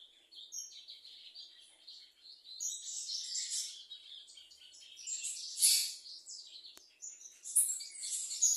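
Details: Softer, varied high warbling phrases of a bananaquit or plumbeous seedeater, with sweeping whistled notes and brighter bursts every few seconds, plus one sharp click.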